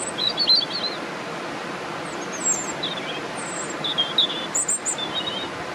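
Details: European robin singing at Swans Park, Buncrana: thin, high warbled phrases in short separate bursts scattered across several seconds, set against steady broadband background noise.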